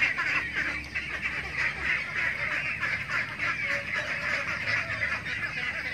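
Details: Penned ducks, with ducklings and laying ducks, make a continuous busy chorus of short, nasal, overlapping quacks with no pauses.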